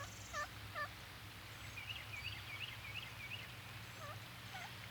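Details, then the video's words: An eastern wild turkey hen in the Midwest in spring, at the start of mating season, gives its most common call, the yelp: two clear raspy, dipping yelps, a quick run of fainter higher notes, then two more, over a low hum. "The most frequently heard call of the wild turkey hen is a yelp."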